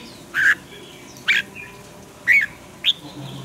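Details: Red-whiskered bulbul used for song training gives four loud, harsh, squawking notes spaced about a second apart, the last ones slurred and slightly rising, over a quiet hissing background.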